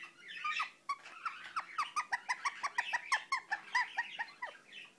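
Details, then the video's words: Mumbling Indian ringneck parakeet: a rapid string of short, clipped, downward-flicking notes, roughly one and a half per second, blended with scratchy chatter in a small indoor space. "İndian Ringneck Börek mumbling"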